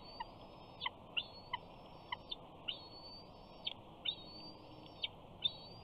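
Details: Bald eaglet at a Big Bear nest on 28 June 2019, screeing to beg for fish as its father lands on a perch while its mother eats; thin, high, drawn-out whistles, slightly rising, repeated about every second with sharp clicks between.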